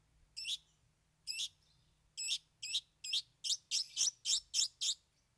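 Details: Cendet unloading its three fill songs: a run of harsh, chattering high notes, first spaced about a second apart, then speeding into a rapid, even series of about ten rasping bursts.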